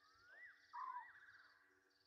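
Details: Egyptian geese recorded at 23:34 on 27 August 2023 by the Gowrie dam waterhole camera, Djuma Game Reserve, South Africa: a wavering tone with a sudden loud falling note, and soft insect pulses above.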